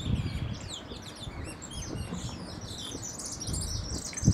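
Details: Young European goldfinch (pintón) singing in bad weather, a fast, continuous stream of bright twittered, chirping and rising-falling notes, high-pitched and busy throughout, with steady low background rumble.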